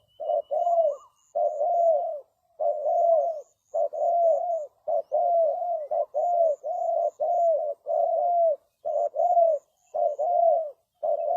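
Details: Decoy spotted dove calling to draw in other birds: a steady run of low, mellow, paired coos repeated about once a second, loud and close, with faint high ticks behind.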